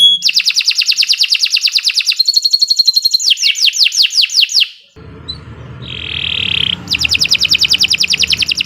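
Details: Canary in continuous 'gacor' singing, played as a lure to coax birds into song: rapid rattling trill, a higher metallic rattle and sweeping notes, a pause with faint low noise and a steady whistled tone, then the fast trill returns.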